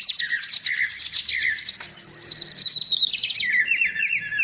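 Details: Greater green leafbird in full isian song, meant to stir lazy birds into singing. Dense high warbling runs without pause, with a long descending sweep midway and lower chirps at the end.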